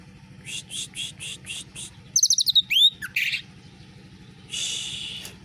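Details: Greater green leafbird performing canary-imitation song: six evenly spaced buzzy notes, a quick trill of high sharp chirps, a downward slurred whistle, then a long harsh rasp, over a low background hum.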